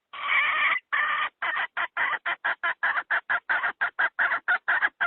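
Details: Hen call used by trappers to lure wild fowl into traps: a long harsh, buzzy drawn-out note, a second shorter one, then a fast run of about eighteen short clucks, roughly four per second, loud and clear with no other sounds.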